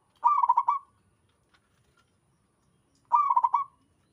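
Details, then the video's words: Zebra dove, a local wild bird, cooing steadily, as other doves reply. Two quick, rolling, pulsed coo phrases about three seconds apart, each roughly half a second long, with near silence between them. "Suara burung perkutut lokal alam gacor sekali putar lainnya ikut nyahut"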